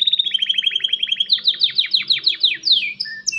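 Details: Male canary singing to entice a female to mate and build a nest: a steady, rapid, whistled trill, which breaks into louder, looping down-slurred notes and ends in short, high whistles.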